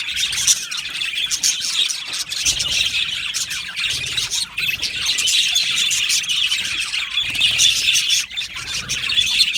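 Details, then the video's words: Budgie colony in an aviary: rapid, overlapping chirps and squawks run on without pause, a steady busy chatter of many birds. "Beautiful Budgies chirping sounds"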